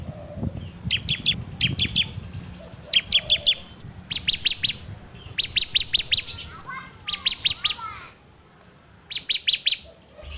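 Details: Bar-winged prinia (ciblek) singing in the full 'ngebren' style, recorded on an Android phone as a lure for training birds: short bursts of five to seven sharp, rapid, ticking notes, separated by brief pauses, over a faint low hum.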